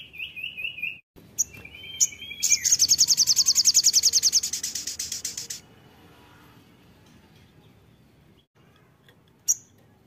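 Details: Crimson sunbird singing energetically: a few slurred whistled notes, then a fast, high, buzzy trill of rapidly repeated notes lasting about three seconds. A single sharp click follows near the end.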